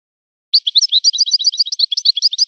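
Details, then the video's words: Si Hassan-style song of a European goldfinch: a continuous two-second stream of quick, bright, tinkling chirps and twitters at a steady high pitch, heard alone without background noise. "طائر من طيور لي تاتغرد على نمط طيور سي حسن الكلوب ولد الغابة"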